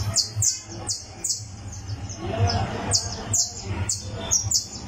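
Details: Criollo canary tuning its song on a tournament perch: crisp high chirps falling in pitch, given singly or in pairs about every half second, with a persistent low hum in the background.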